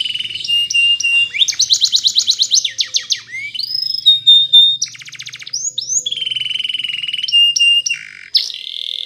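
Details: Spanish Timbrado canary training song at morning: varied phrases of steady whistled tones, rapid rolls, abrupt upward slides and clipped repeated notes, changing every second or two.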